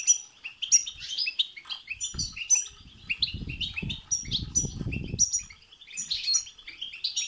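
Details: European goldfinch in batbata and satsata song to set off another goldfinch singing: a continuous high jangling twitter with sharp chirps, and a stretch of low fluttering thumps in the middle.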